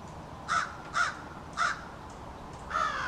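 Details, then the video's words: Backyard American crows from a family group exchanging calls: three loud harsh caws roughly half a second apart, then a longer, drawn-out rasping caw after a pause. "American Crows Calling"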